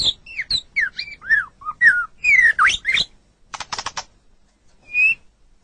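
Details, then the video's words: White-rumped shama singing, a recording meant for training captive songbirds: rich fluting whistles sliding up and down, followed by a dry rapid rattle and a final high whistle. "SUARA MASTERAN - Ocehan Burung Murai Batu"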